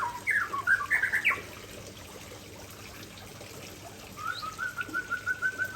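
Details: White-rumped shama from Aceh giving its signature fill-ins: a lively cluster of rich whistled notes, a silent gap, then an evenly repeated, rolling trill held for over a second.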